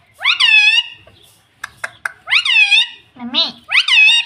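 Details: Talking pet green ring-necked parrot kept indoors: rising and falling harmonic-rich vocal phrases imitating speech, three main word-like calls separated by pauses, with soft clicks between.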